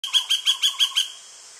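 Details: Yellow-shafted Flicker (Colaptes auratus chrysocaulosus) at Soplillar, Cuba, in July 2017, giving a quick run of six sharp, ringing notes, about six per second, then falling silent against a faint background hiss.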